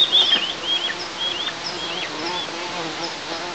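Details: At a Tatarstan eagle nest under camera observation on 6 July 2024, young birds object to their mother eating alone, giving a string of high, slurred, squeaky whistles, loudest at the start, over a constant hiss.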